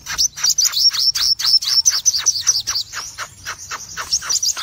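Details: Crimson sunbird, a red-eyed cremino bird, singing the lively ngobra style in full bursts: a rapid stream of high, thin twittering notes with quick downward strokes, about two per second, steady and unbroken.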